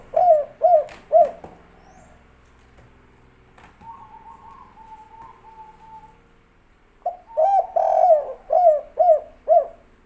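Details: Kuk 3 style cooing from a spotted dove: three clipped coos, a long quiet stretch with a faint steady tone, then a louder run of six or seven hoarse, rounded coos.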